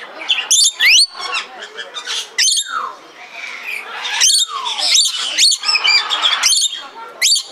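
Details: In Belgrade Zoo, Serbia, 2022, a red lory utters piercing screeches and long downward-sliding squeals, repeated in clusters with short pauses.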